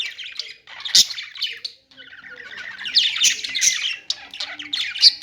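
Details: Budgies singing in a lively, scratchy warble, mixing rapid chirps and harsh squawk notes that swell and fade in waves.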